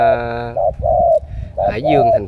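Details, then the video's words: Captive Spotted Dove of the Cà Mau type, a trained decoy with a cooing style called đồng siêu gù, gives low, hollow coos in short-and-long pairs, partly masked at the start by a voice and music. "Tuyển đồng siêu gù"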